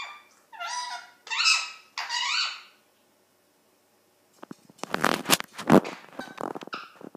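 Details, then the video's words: A pet Indian ringneck parakeet (rose-ringed parakeet) gives three loud, nasal squawks that bend up and down, about half a second apart, then harsh clicks, rasps and rustling in a small room. "my ringneck parrot being vocal"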